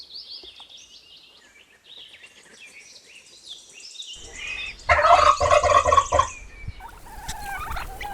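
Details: Turkey gobbling: a loud, rapid, rattling burst of gobbles in the middle, preceded by quiet ambient sound and followed by fainter calls.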